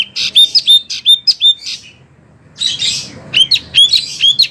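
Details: A Wambi sings on a training recording for oriental magpie-robins and other birds: a string of short bright whistled notes, a silent pause, a scratchy burst, then repeated sharp rising whistles.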